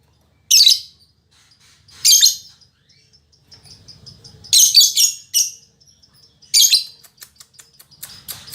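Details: Fighter-spirited female lovebird uttering loud harsh rasping bursts spaced a second or two apart, ending in a rapid series of short clicking ticks.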